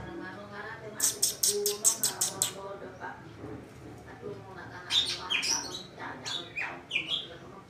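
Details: Greater green leafbird scolding at a sudden change to overcast weather, giving a rapid string of harsh high chips, then varied whistled notes sliding up and down, with a voice faintly in the background.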